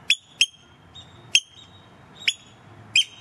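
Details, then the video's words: Oystercatchers visiting in May and June, bold and staying close to the person filming: five sharp, shrill piping notes in just over three seconds, spaced unevenly, each a short loud burst with ringing overtones over a quiet background. "Oystercatchers, very noisy and courageous birds!"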